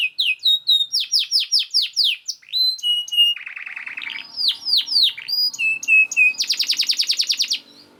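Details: Master canary song for training other canaries: quick series of downslurred whistles repeated about four per second, a low buzzing roll, more sweeping notes, then a dense high trill before stopping.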